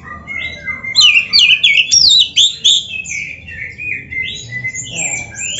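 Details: Oriental magpie-robin in full, richly varied song with imitations. Wavering, warbled high whistles run together over a steady lower whistled tone, ending in scattered sharp notes.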